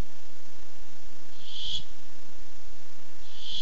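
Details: Barn owl coming by for food, 8 July 2015, nest camera: two rough breathy hisses nearly two seconds apart, the second cut off at the end.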